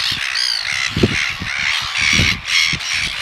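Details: A red-billed gull pair courtship feeding at Pukekura/Taiaroa Head, Otago Peninsula: one begs with harsh, nasal, near-continuous squawks while tapping the other's bill to make it regurgitate red krill; low thumps and rustling underneath.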